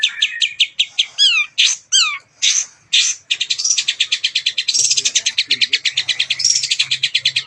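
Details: Contest-champion long-tailed shrike in captivity, singing a mimicry-filled song to trigger rival shrikes: separate chirps and looping downslurred whistles, then a long, very fast, even stream of buzzy trilled notes.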